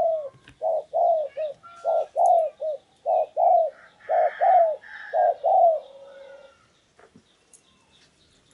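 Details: Spotted dove used as a decoy bird to lure wild doves, in Vietnam: a run of deep, mellow coos in short phrases, each note slurring downward, repeated about once a second, with faint higher bird chirps behind.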